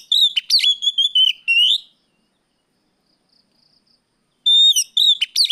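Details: Oriental magpie-robin giving its riwik plong afternoon song, meant as a lure for untrained birds; loud, piercing whistled phrases with quick upward flicks, a two-second pause, then another bright burst of rapid notes.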